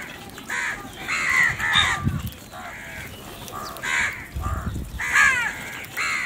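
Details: Crow eating in the morning, a run of rough caws, several overlapping, repeated through the clip, with faint low thumps and outdoor background noise.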